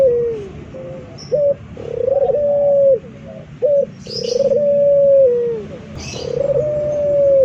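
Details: A male local dove serving as a model for training birds coos in a low, smooth voice, mixing brief clipped notes with long steady drawn-out coos that sag at the end, repeated three times.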